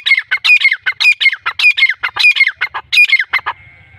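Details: A Sindhi-breed black francolin delivers a fast, regular run of scratchy, clicking squawks, about two per second, ending in quiet.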